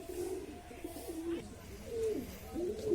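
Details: A trained male domestic pigeon coos in low, rolling, throaty phrases that rise and fall, courting a newly arrived guest pigeon beside it on a tree, on a foggy, dim winter morning before full sunrise.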